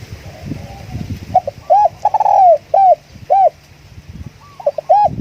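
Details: Spotted dove calling as a decoy bird: a run of mellow hooked coos, some short and one long, loosely repeated with brief gaps. Faint low background rumble.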